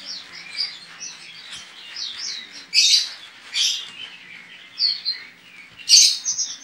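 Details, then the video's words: Caged Javan white-eye (pleci) competing in an online singing contest, from Pontianak, West Kalimantan, Indonesia; continuous high twittering with sweeping whistled notes, broken by several louder sharp chattering bursts. "LOMBA PLECI ONLINE 23 - Aksi Pleci OZORA"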